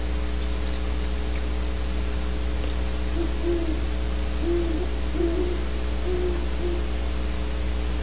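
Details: Great horned owl calling near a barn owl nest cavity at Audubon Starr Ranch, California, at 13:51:38 GMT. Faint low hoots in a run of five or six, partly masked by a steady electrical hum.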